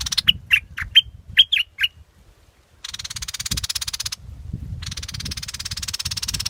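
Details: Scarlet-backed flowerpecker: a series of short, sharp, high chips in quick succession over two seconds. A loud, harsh, pulsing insect-like buzz then takes over in long stretches.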